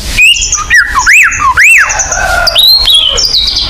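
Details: White-rumped shama song used as a lure to make kept birds sing: loud, clear whistled notes with arching rising-falling slurs, a sustained high tone and a stepped descending phrase.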